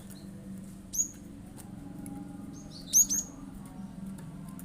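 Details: Cinereous tit's rapid shooting song, used to provoke other birds into singing; a single sharp high note followed later by a quick double burst of piercing chirps over a steady low hum.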